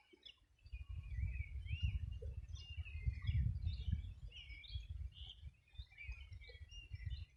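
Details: Birds chorusing at the edge of the Río Bueno in the Los Ríos Region on a summer morning in 2020: many overlapping chirps and twittering notes, under a strong low rumble of wind or water.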